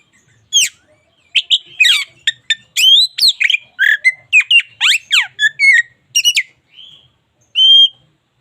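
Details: Local Indonesian white-rumped shama singing energetically for daily song training: rapid run of sharp varied notes, steep downward and upward sweeps and harsh chips, ending with a clear sustained whistle after a short pause.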